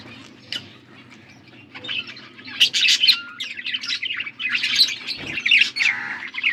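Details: Feeding-time chatter from blue budgies, August 13, 2024: sparse soft notes at first, then a rising flurry of rapid chirps and squeaks that stays busy to the end.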